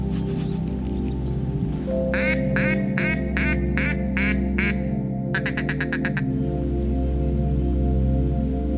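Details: Wood duck calling near a countryside home in late autumn as snow begins, giving a series of squealing, rising notes, about eight evenly spaced and then a faster burst, over steady background music.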